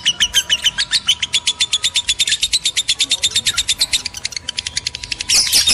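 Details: Continuous twittering from male and female lovebirds used as a breeding lure, crisp high chirps repeated in a steady rhythm that loosens midway, closing with a loud shrill squeal.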